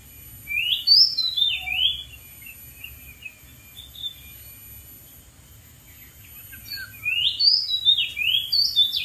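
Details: Wild Oriental magpie-robin singing from a dead tree: two bursts of varied, sweet whistled phrases with rising and falling slurred notes, one at the start and another near the end, separated by a quieter stretch with faint low background rumble.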